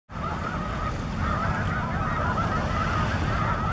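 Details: A large snow goose flock, mixed with 23 Ross's geese and 1 cackling goose, at Broadkill Beach, Sussex County, Delaware, on 13 December 2015, keeps up a dense din of overlapping nasal yelps and honks over low wind rumble.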